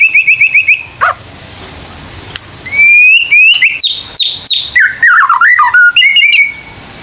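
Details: White-rumped shama lure song for encouraging young birds to sing: opens with a quick run of identical high notes, then after a pause rising whistles, sharp high upslurs and tumbling lower warbled phrases.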